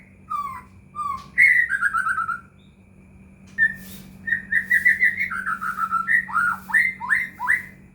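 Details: White-rumped shama song used as a lure to make silent caged shamas sing, with short whistles, a descending trilled phrase, then a lively run of swooping whistled notes over a low hum.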